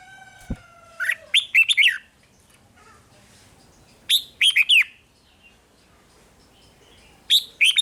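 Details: Thai red-whiskered bulbul song used to stimulate caged birds: a thin descending whistle and a click at the start, then three bursts of quick, liquid whistled notes separated by long pauses with soft background hiss.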